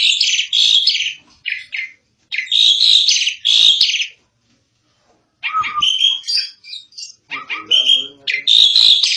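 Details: Jalak suren song in separate bursts: harsh buzzy chatter with squeaky whistles, a silent gap of more than a second around the middle, then mixed rasping and nasal notes resuming.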